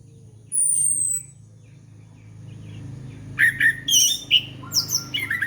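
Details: Orange-headed thrush song used to lure birds: a long descending high whistle, then a rapid run of varied chirped and whistled notes jumping between pitches, over a faint low hum.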